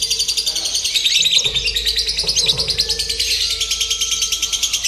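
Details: Lovebird in simulated singing-competition training gives a rapid, grating chatter in steady pulses about three per second, with a faint low hum and a thin whistled tone near the end.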